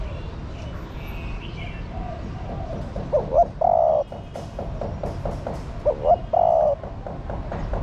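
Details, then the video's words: Female spotted dove calling to stimulate a male. Two low cooing phrases, each two short rising notes and then a longer level coo, spaced about three seconds apart over a faint background of other birds. "Chim Cu Gáy Mái Thúc Trống Nhạy Bén. Tiếng Chim Cu Mái Gáy Kích Bổi Hiệu Quả"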